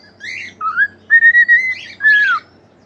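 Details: Cockatiel song in which a rough, raspy note leads into a rising whistle, then a long steady whistle broken into pulses, ending on a falling whistled slur.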